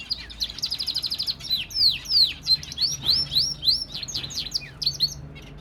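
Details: A canary hen, busy building her nest, sings a bright, high song: a fast rattling trill, then a run of sweet, quickly repeated down-slurred whistles.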